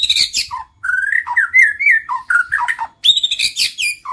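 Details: White-rumped shama in continuous melodic song. Mellow whistled slurs rise and fall, some notes drop low, and harsh high notes and bright chattering phrases are mixed in.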